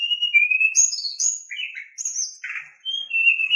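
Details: Oriental magpie-robin in a filler-rich lure recording meant to rouse other magpie-robins to song: clear whistles alternating high and lower, a falling slurred phrase and a short rasping burst.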